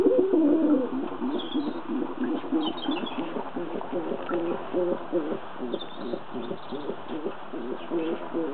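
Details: Pair of kept doves described as having fallen in love, giving a long run of low, pulsing coos repeated about three times a second, with faint high chirps above.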